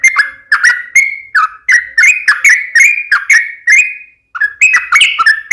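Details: Sooty-headed bulbul's lively song: a steady string of brief fluty whistled phrases, each slurring down then up, repeated roughly twice a second with one short pause.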